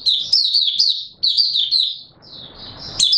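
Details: Brief burst of high, tumbling twitters from an Oriental white-eye, 24 March 2022, two quick phrases then a softer trailing note and a final sharp chirp.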